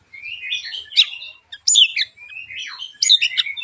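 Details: White-rumped shama (murai batu) singing sharp, rough 'tembakan' phrases meant to provoke other shamas into singing; high, quick whistled and buzzy notes in short bursts, a brief pause, then further tumbling phrases.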